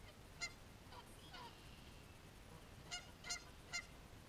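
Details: Geese caught fighting, giving loud harsh honks: a single honk early on, then a quick irregular burst of three near the end, against a steady background hiss.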